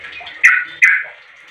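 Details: Two strong, slightly rasping chirps about half a second apart from a sooty-headed bulbul calling other bulbuls to respond, with a faint steady hum underneath.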